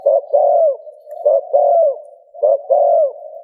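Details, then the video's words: Spotted dove coo used to stimulate another dove into cooing; three phrases, each a quick clipped note followed by a drawn-out descending coo, over a constant droning background tone. "Tiếng Chim cu gáy gù kích bổi hiệu quả"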